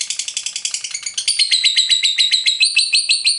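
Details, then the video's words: Lovebird giving the long 'ngekek panjang' chatter kept by fighter-bird hobbyists: rapid, shrill, buzzy notes repeated about three to four times a second, steady throughout with no other sounds. "Suara Burung Lovebird"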